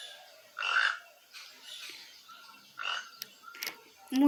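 A toucan gives four or five hoarse, frog-like croaks at irregular intervals of about a second. A brief voice cuts in at the end.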